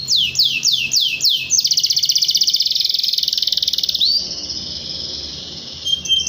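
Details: Domestic canary singing actively in a rival-calling recording used to stimulate young canaries; five quick descending whistled sweeps give way to a long, fast, buzzy rolling trill, then a thin steady high whistle fading at the end.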